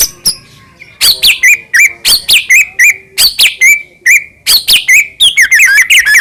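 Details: Murai batu, the white-rumped shama, singing busily to rouse other shamas: after a few soft notes, a fast varied stream of high chirps and looping whistled phrases, each ending in a short steady whistle.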